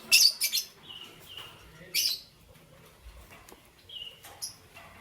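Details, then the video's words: Chirping from lovebirds in green, yellow and lutino colours, morning: loud harsh squawky bursts, softer whistled mid-pitch notes, then scattered high chirps with quiet gaps between. "Lovebird Chirping Sounds"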